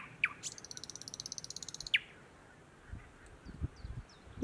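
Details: Thrush nightingale singing in June 2018 in Matsalu National Park, Estonia: a sharp falling whistle, then a fast dry rattle of about twenty clicks, and another whistle; low thumps and faint distant chirps follow.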